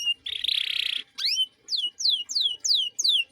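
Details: Canary song for training young songbirds: a buzzy rattling burst, a rising whistled sweep, then a steady series of descending slurred notes, roughly three per second.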